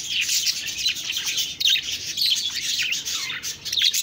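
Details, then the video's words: Continuous budgie chatter: overlapping high chirps, squeaky rising notes and buzzy warbling that run without a break, with brief little dips in loudness. "Budgies Birds talking sound Birds chirping sounds"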